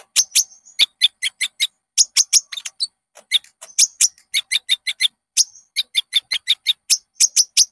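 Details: Konin, the Common Iora, giving lure song to set caged birds singing: a long, busy stream of sharp, high chirps in quick groups, mixed with short whistled slurs.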